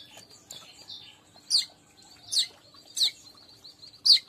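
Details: Weaver song played to lure wild weavers; a continuous thin twittering chatter punctuated by four loud, sharp, downslurred chips spaced roughly every three quarters of a second.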